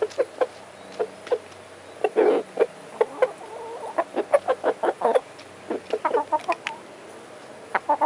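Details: Rooster making an unusual noise with odd behaviour, thought to be telling hens where food is: rapid series of short clucking, tuk-tuk notes, some in quick bursts, with brief pauses between.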